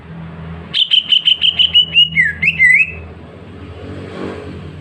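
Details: Healthy caged greater green leafbird kept at home, singing clearly: a quick run of about nine bright, evenly spaced whistled notes, then slurred falling and rising whistles, over a low traffic rumble.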